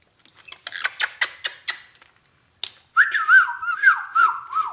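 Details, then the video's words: Pet ringneck parrot talking: a burst of rapid clicky, chattering syllables, a pause, then a run of clear warbled whistles rising and falling in a wavy line, indoors. "amazing ringneck talking"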